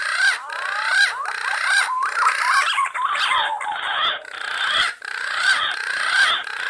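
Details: Wild green pigeon giving a continuous stream of modulated, quavering whistled notes in swooping phrases, rising and dipping, with brief gaps and a rough noisy background throughout.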